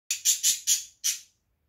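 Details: A pet budgerigar chick, with its mother nearby, filmed on 17 June, gives five harsh, raspy, hissing bursts in quick succession, about one every quarter second, high-pitched and scratchy.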